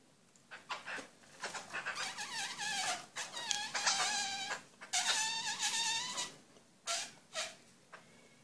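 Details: Black-throated laughingthrush, known as Poksay Hongkong, singing a varied phrase of clear, rich whistled notes with laddered overtones, some sliding down and others wavering, in bursts separated by short pauses, in a small, quiet room.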